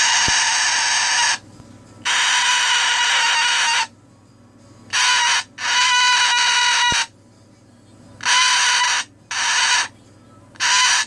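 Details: Grumpy at bedtime, a pet cockatoo gives repeated loud, harsh, rasping screeches of one to two seconds each, separated by short quiet gaps.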